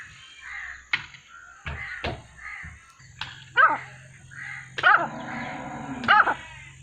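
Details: Francolins (teetar) calling as a hunting call, nine birds calling together: loud, harsh, grating calls repeated roughly every second, with sharp clicks and a low steady hum behind.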